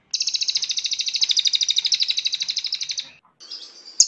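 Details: Cililin song recorded as a singing master: a three-second high, pulsing trill that trails off, then faint chirps and a sharp high note at the end.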